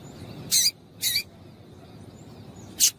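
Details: Female double-collared seedeater calling to arouse the male: two loud, high, rasping chips half a second apart, a pause of over a second, then one shorter sharp chip, over quiet hiss.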